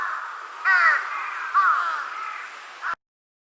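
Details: Juvenile large-billed crow, relaxed, forehead feathers raised, giving two hoarse, falling caws followed by a short clipped note before the sound cuts off abruptly.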